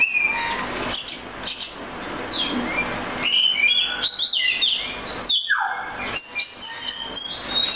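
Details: Oriental magpie-robin song: rapid sequences of high, sweet whistles, a long descending slur near the end, and chattering warbled notes in quick succession.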